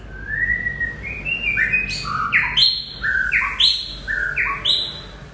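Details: White-rumped shama in full song: long whistled phrases that start low, jump upward in steps and end in crisp, bright flourishes. Roughly one phrase per second, clear and loud above a quiet low background.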